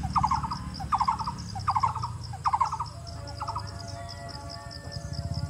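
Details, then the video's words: A blue-throated barbet (Psilopogon asiaticus) calling in Darjeeling, West Bengal, India, gives loud, rolling trilled notes about every three-quarters of a second, over a low rumble and a faint high insect whine. "Blue Throated Barbet Call"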